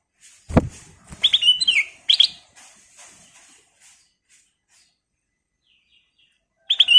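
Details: Sooty-headed bulbul (kutilang emas) in full song used as a lure: a low thud, then two short bubbly whistled phrases. A quiet gap follows, ending with a brief burst of notes.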